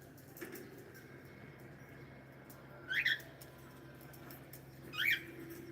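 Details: Cockatiel on a live stream giving two short, bright chirped calls that rise and break up sharply, about two seconds apart, over a steady low household hum.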